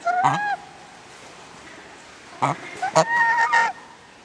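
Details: Swan geese at a bird park in Matsue, Japan; the male gives high calls and the female low ones: one loud nasal honk, then after a pause a burst of three or four harsh, trumpeting honks close together.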